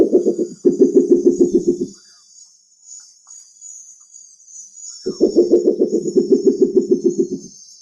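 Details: Spectacled owl in a busy night-time jungle soundscape with other animals calling, giving two bursts of low, rapid knocking hoots, roughly three to four per second, over a steady high insect-like hiss.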